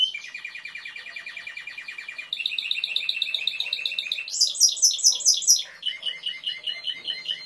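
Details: Song of a Timbrado canary: a long low rattling trill, then a brighter rolling tour, a loud high repeated phrase, and a final series of pulsed mid-pitched notes.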